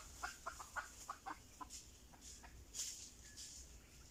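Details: Red junglefowl drawn in with a decoy, uttering a rapid series of clipped clucking notes early on, then scattered softer clucks against a constant background hiss of insects.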